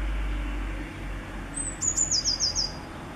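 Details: Eurasian blue tit singing on 10 April 2020: a high thin introductory note followed by a rapid descending trill of about six short notes, clear above a low background hum.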